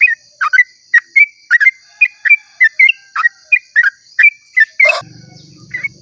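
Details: Yellow-vented bulbul singing its long 'ropel' song at dawn: quick, rollicking sequences of liquid chirps and gurgles. The song ends with a thump and a low rumble, followed by one last note, over a steady high hum.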